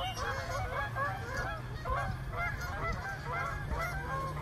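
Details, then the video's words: Frightened flock of more than a hundred swans in a small park: dense overlapping honking calls, short and nasal, rising and falling, with a steady low rumble underneath. "Flock of frightened swans"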